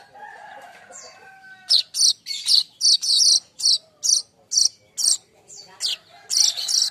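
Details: Young streaked weaver in vigorous song, used for tutoring other songbirds: a soft faint warble, then a fast run of sharp, buzzy, high chips about twice a second, with brief gaps between groups.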